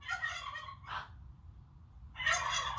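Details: A male turkey (tom) gobbles in two rapid, rattling, bubbling bursts, with a short sharp note between them; a low hum sits underneath.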